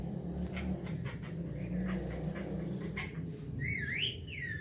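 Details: Pet Alexandrine parakeet enjoying the morning, giving a loud warbling whistle that rises and falls near the end, after faint scattered chirps over a steady low background hum.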